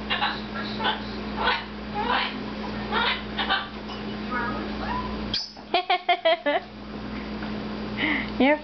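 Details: Red-fronted macaw, pet bird perched on a cage, chatters in speech-like phrases while "talking away having fun", then gives a sharp burst and a quick run of five or six harsh, rasping notes, with a person talking and indoor hum.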